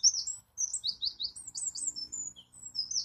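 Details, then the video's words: Wren song of high, rapid, warbling notes strung together without pause, varied slurred chirps and short trills over about three seconds. "This is A Singing Wren"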